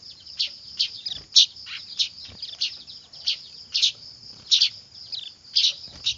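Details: Weaver chicks calling noisily, used as a lure: shrill high chirps in bursts roughly every half second to second, with fainter twittering between them and a steady high hiss of overlapping voices.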